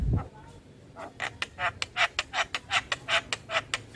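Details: Javan myna lure for stressed mynas: a steady series of harsh, buzzy rasps repeated nearly three times a second after a brief low thump.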